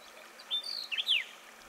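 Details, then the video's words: Arabian golden-winged grosbeak, Qara Mountains of Dhofar, Oman: a short series of high twangy notes, a level whistle, then two quick slurs and a longer descending buzzy note, over a quiet background. "Arabian Golden-winged Grosbeak"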